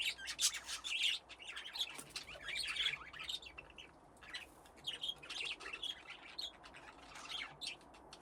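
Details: Several budgerigars in an aviary with nesting boxes, playing: continuous high chattering warble of overlapping chirps and clicks from many birds, rising and falling in busy bursts.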